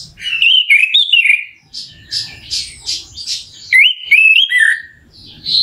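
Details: Orange-headed thrush song used as a lure to stir another thrush into singing; clear whistled phrases alternating with clusters of high chirps, including a stepped rising and falling whistle near the end, over faint low noise.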